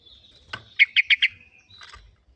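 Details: Sooty-headed bulbul, kutilang, in a lure recording meant to set other birds singing: a rapid run of four bright chirped notes near the middle, framed by softer scratchy calls before and after.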